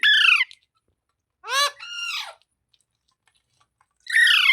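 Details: Loud grating squawks from a green parrot said to be talking: one at the start, a ringing falling screech and a rougher trailing call in the middle, and another at the end.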